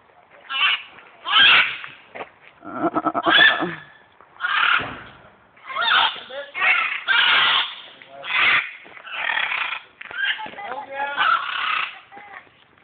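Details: Macaws in Guatemala, Central America, 2010, give harsh, raspy squawks, about ten grating bursts in thirteen seconds, some overlapping as if from more than one bird.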